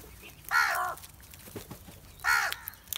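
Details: Crows feeding together, calling loudly: two harsh, drawn-out caws about two seconds apart, each with a bright stacked tone, over faint background noise.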